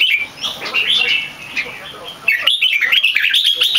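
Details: Red-whiskered bulbul competition bird, not in full form, sings its long keke. Soft warbles at first, then a loud, fast run of chirpy, undulating whistles.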